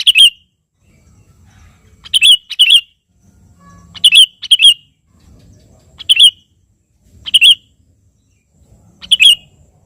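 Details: Sooty-headed bulbul singing to draw a rival: bright whistled phrases, sometimes doubled, recurring at fairly even intervals of one to two seconds, each a quick liquid flourish; faint low rumble in the gaps.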